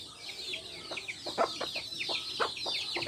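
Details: Hens with chicks in a backyard, a hen giving short clucks about once a second amid a steady wash of high, falling chick peeps.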